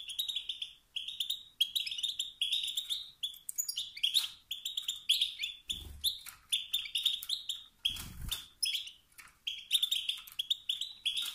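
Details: Male European goldfinch giving excited calls said to spur other males to sing out of rivalry and dominance: dense, rapid high twittering and buzzy chirps run continuously, with a couple of short knocking thumps.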